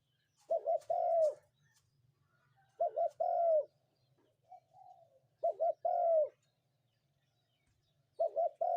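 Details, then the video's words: In the morning a spotted dove repeats its coo phrase about every two and a half seconds: two quick short notes then a longer falling note, over a faint low hum. "ນົກເຂົ້າໃຫຍ່ຂັນຍາມເຊົ້າ นกเขาใหญ่ขันยามเช้า"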